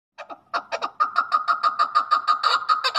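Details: Male chukar partridge, known locally as chakor or keklik and called a Peshawar chakor, used for hunting, giving a rapid series of harsh, clucking chuk notes about seven per second, rising and growing louder, in a small quiet room.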